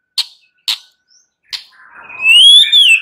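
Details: White-rumped shama (murai batu) night-time stimulus song, played to make shamas sing often and boldly: three sharp clicks, then a long, loud, rising-and-falling whistle with a ringing upper tone.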